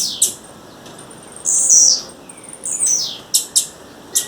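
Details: Female blue-black grassquit calling in the wild: a few sharp, very high ticks, then a loud buzzy high note sliding gently downward, another descending buzz, and a quick run of thin clicks to close.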